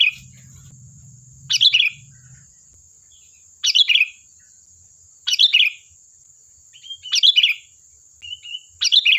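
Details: Sooty-headed bulbul singing lively, meant as a lure for replies: five bright gurgling phrases about two seconds apart, short plain whistles between the last ones, a low hum at the start, and a thin continuous whine.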